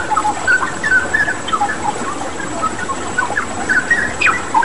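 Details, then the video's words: Straw-headed bulbul singing actively for a bird-training recording: scattered bright whistles and slurred notes, a sharp rising note near the end, under constant rushing water. "Masteran Cucak Rawa Gacor dengan Terapi Air"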